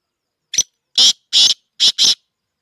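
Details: Black francolin (kala teetar), offered for sale, calling one grating sequence: a thin introductory chip, then four strong, hoarse, scratchy notes, the last two close together, over near silence.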